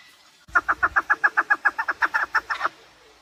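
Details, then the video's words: Chukar partridge giving a short burst of rhythmic clucking chuk notes, evenly spaced at roughly four per second, starting abruptly after a moment of quiet and ending cleanly; recorded for partridge hunting. "Овози кабк кеклик калик пение каклик"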